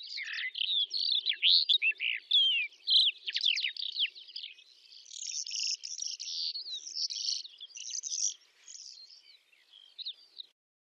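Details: Steppe song of a Calandra lark, Astrakhan region of Russia, May 2017: rapid jumbled warbling of sharp twittering notes and buzzy trills, tumbling on for about ten seconds before fading into softer, thinner phrases and then stopping.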